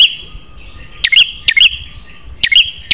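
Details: Prinia song from a master recording for kept birds: a few sharp high snaps followed by bright chirps, separated by uneven pauses over a thin steady high tone.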